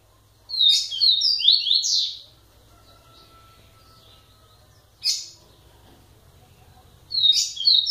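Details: A double-collared seedeater sings a fast phrase of high sliding notes, followed later by a short sharp chip and the start of another phrase, with a faint low hum beneath.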